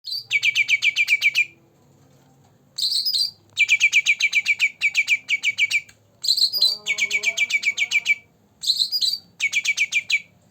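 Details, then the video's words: Green leafbird, two months old, in full 'gacor dor dor' song used to prompt birds that rarely sing: fast bursts of sharp, stacked chattering notes, about a dozen per burst, repeated in phrases with short pauses between. "Cucak Ranting Gacor Dor Dor pancingan untuk burung yangg jarang bunyi"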